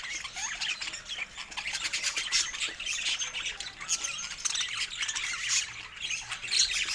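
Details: Pet budgerigars chattering happily, a dense layer of high twittering, rasping squawks and quick chirps from many birds, with a few thin rising whistles.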